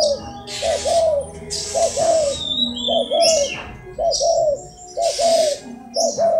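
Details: Rhythmic cooing by a crossbred spotted dove, each phrase a quick lead note and a longer falling note, repeated roughly once a second, with loud bursts of hiss in between.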